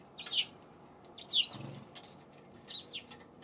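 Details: Eurasian tree sparrow recorded February 7: three loud, high chirps about a second apart, the middle one accompanied by a low rustling thump like a wingbeat.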